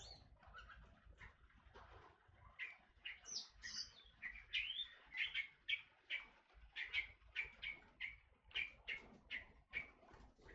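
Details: Kepodang hutan, a forest oriole, delivers a long run of short, sharp chirps about every half second, steady and regular, some notes sliding higher, over a faint low background rumble.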